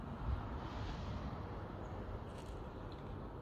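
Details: Steady low wind and distant traffic rumble fill a New Year's morning outdoors, with no animal voice heard.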